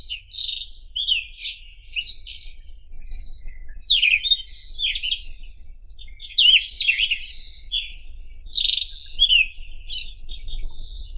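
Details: Varied, jumbled warbling from a White-throated robin, scratchy twitters alternating with high thin whistles in short phrases over about eleven seconds, with faint low background hum.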